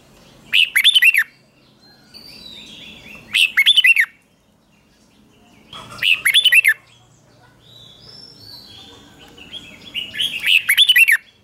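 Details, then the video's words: Red-whiskered bulbul's morning song for training competitive singing; the same cheerful, rapid warbled phrase repeated four times at roughly three-second intervals, with soft thin whistles from other birds between phrases. "Luyện chào mào hót sáng | chào mào hót đấu"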